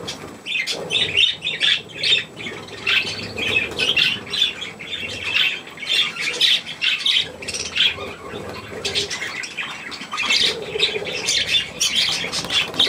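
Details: Young budgerigars with their mother, pets being fed millet; dense, continuous high scratchy chatter and squawks in bursts, several birds calling at once, with softer low warbling between.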